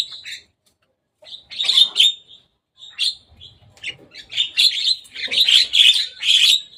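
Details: Javan myna visiting the top of a cage, uttering harsh, grating chatter in short bursts separated by brief pauses, building into a dense run of rapid scratchy notes toward the end.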